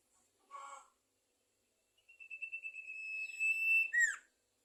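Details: Sumatran leafbird singing vigorously: a short broad chattery burst, then after a pause a long, high, steady whistle that pulses slightly and swells, ending in a quick downward-sweeping flourish; quiet background.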